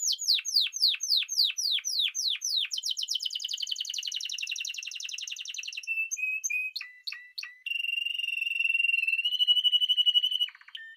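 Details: Spanish timbrado canary singing repeated descending sweeps, then a rapid pulsed trill, clipped notes, and a long steady rolling tone near the end.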